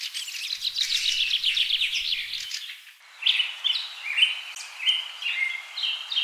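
Javan green magpie giving a fast, scratchy chatter, then a series of clear, high whistled notes rising and falling, each about half a second apart.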